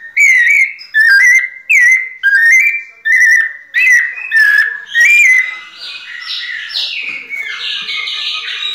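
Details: Series of seven bold whistled notes from a White-necked thrush in pianado style, roughly one every second with small upward or downward inflections, giving way to a fainter, higher, chattering warble.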